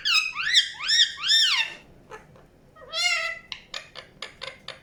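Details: Indian ringneck parakeet making three loud arched squawks, then a long wavering call, followed by a row of short clicky chirps.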